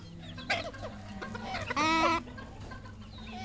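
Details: Red junglefowl, a local decoy bird, calling: a few short clucks, then one loud, drawn-out harmonic call lasting under half a second, with low background hum.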